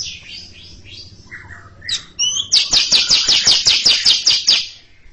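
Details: A greater green leafbird (Chloropsis sonnerati) sings a long chattering song: scratchy high notes and a whistled phrase, then a rapid, bright chattering run of about a dozen notes.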